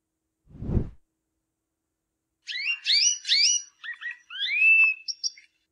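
A canary sings a quick, bright run of varied whistled notes and slurred upward sweeps lasting about three seconds, after a short low thump.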